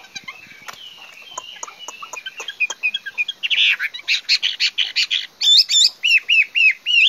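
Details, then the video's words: Chinese hwamei beginning with soft, scattered chips and twitters that build into louder, sharper notes and then a run of repeated, bright, looping whistles near the end. "Singing nightingale. amazing bird song. Garrulax canorus"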